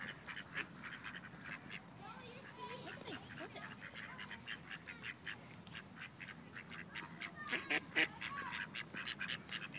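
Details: Ducks at Wilmington, North Carolina, several rejected males attempting forced mating with a female; rapid irregular run of harsh quacks and splashy bursts, about two per second, growing louder toward the end.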